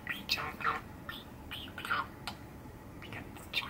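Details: Soft chattering from a six-year-old male pet budgerigar indoors on a cold December day, with scattered brief warbles and clicks, some louder rising chirps, and quiet gaps between phrases.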